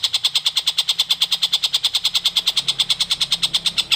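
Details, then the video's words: Long-tailed shrike singing actively, recorded as a tutor for white-rumped shamas: an unbroken run of harsh, scratchy chattering notes, about five per second, steady and evenly spaced throughout, with a faint low hum behind. "TENGKEK BUTO Gacor"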